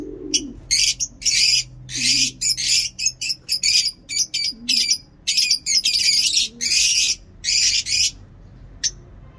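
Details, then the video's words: Lovebird giving a long ngekek chatter: dense runs of harsh, buzzy, high squawking bursts in quick succession with short gaps, sustained for nearly the whole stretch over a faint low hum. "Lovebird ngekek panjang"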